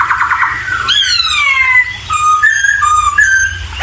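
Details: Poksay laughingthrush song: a wavering whistle, then a long descending slurred whistle, followed by short clear whistled notes repeated at shifting pitches over a low background hum.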